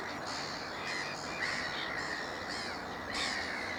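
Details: At Upton Warren wetland, Worcestershire, on 13 June 2019, juvenile black-headed gulls utter a few drawn-out, grating squeals and harsh kaws, widely spaced, over a busy background of other colony birds.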